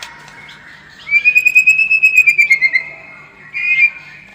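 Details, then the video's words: White-rumped shama song used as a lure to make the bird more combative: one long, sustained whistle with a fast tremolo, gently falling at the end, then a brief rising whistled note after a pause. "SUARA PANCINGAN MURAI BATU AGAR MENTAL SEMAKIN FIGHTER"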